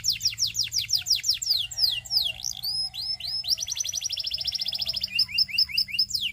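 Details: Singing Belgian canary, song used to attract other canaries: rapid downward-sliding whistles, looping notes, then a long fast rolling trill ending in short falling phrases, with a soft low hum behind.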